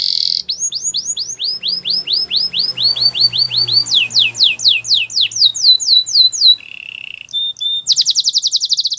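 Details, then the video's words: A canary sings a fast, rolling song of rapid repeated chirps, about four a second, shifting through several trill phrases and ending in a high buzzy run. "Canary bird singing"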